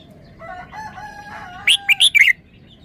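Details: Three-syllable song of a red-whiskered bulbul, praised as sweet: soft, drawn-out tonal calls in the background, then a loud phrase of four clipped, bright whistled notes.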